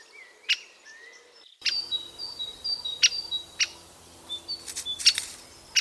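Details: Great spotted woodpecker near its nest with several sharp, clicking 'kik' calls scattered irregularly, mixed with high chirps and trills from other songbirds.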